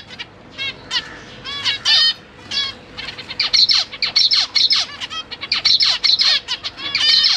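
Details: Zebra finch pair with three juveniles and three new fledglings in a big cage, September 2023; sparse nasal calls at first, then a steady, crowded stream of honking notes from several birds.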